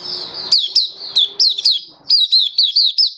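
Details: Malaysian white-eye singing in Singapore in warm, sunny weather, 20 March 2023. A thin high warble leads into crisp, descending slurred notes repeated about every quarter second, with a faint low hum underneath early on.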